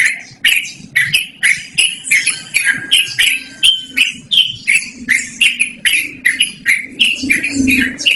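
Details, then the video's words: Yellow-vented bulbul singing a long, loud rolling song for luring or training birds: an unbroken stream of harsh, bubbly chattering notes, about two a second, with a faint thin whistle midway. "BURUNG TRUCUKAN GACORR NGEROL DURASI PANJANG"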